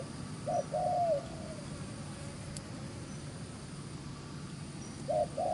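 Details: Fast-cooing wild-caught spotted dove in gù xiết style: a short note and a longer falling coo at the start, a long silence, then the phrase beginning again at the end.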